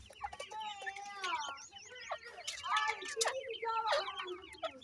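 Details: Iranian partridge chicks being fed by their parent give a busy chorus of thin, high peeping and chirping notes, many overlapping at a rapid pace, with some lower clucking mixed in.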